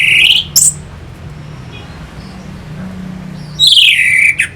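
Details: Orange-headed thrush song used as a lure to rouse fighting birds: a loud, descending whistled phrase, then a sharp high note, a long quiet pause with faint low hum, and a second falling whistled phrase ending in a brief chip.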